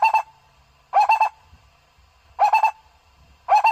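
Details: Barbet call played to lure birds: short, harsh, pulsed bursts with a low steady tone, repeated about every 1.3 seconds over a faint low hum.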